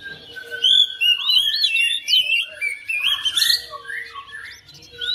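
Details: Oriental magpie-robin kept at home, answering another bird within seconds and joining in: rich, continuous song of varied whistled notes, sweeping slurs and chirps, a dense high jumble with no pauses.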